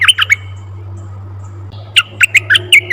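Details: Red-eyed bulbul call used to lure wild bulbuls: short bright chirps in a cluster of three, a pause, then a busier run of sharp, bubbly notes repeated rapidly over a steady low hum.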